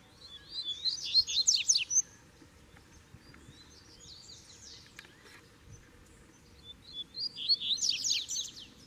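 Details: Double-collared seedeater in Brazil, caged bird with a free wild bird close by, repeats its song: a quick burst of high buzzy trills and chirps, a softer pause with faint notes, then the burst again about six seconds later.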